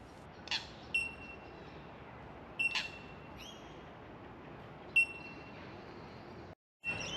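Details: Bell miners (bellbirds, Manorina melanophrys) in the Royal Botanic Gardens, Melbourne, give clear, high, bell-like 'tink' notes, single pings a couple of seconds apart, over a steady hiss.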